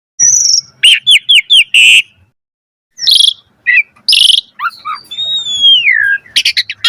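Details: Asian pied starling in full song for training other birds, a loud varied mix of whistled slurs, short rising notes, harsh buzzy bursts and a long falling whistle, with a quiet gap near the start.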